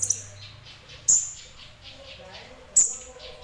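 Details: Sunbird, called kolibri ninja, singing in semi-active form: a few isolated, piercing high chips spaced well apart, with quiet low hum between them.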